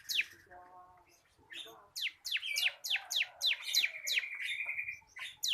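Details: Caged local bar-winged prinia giving a tutor song: a short stacked buzzy note, then a dense chain of piercing downslurred notes overlaid with a steady high trill, ending with one more sharp note.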